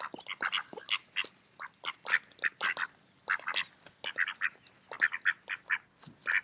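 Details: A group of mallards eating in a park during autumn keeps up a busy stream of overlapping short quacks, loud and soft, with no pause.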